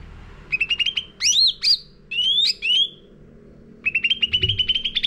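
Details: Lure song of a sooty-headed bulbul for caged-bird training: a short chirp burst, two loud swooping whistles, a pause, more whistled phrases, then a long train of rapid even chirps.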